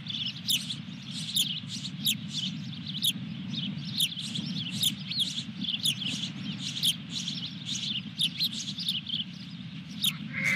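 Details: Osprey at the nest with a fish at Dunrovin Ranch, 23 June 2021. Short high chips come at regular intervals of about one second, set against a steady low rumbling hum.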